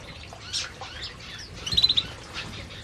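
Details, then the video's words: Eating canaries in an aviary utter scattered thin chirps, then a short, rapid, buzzy trill of about six pulses, followed by another brief chirp. "Burung Burung Kenari Sedang Makan Di Aviary"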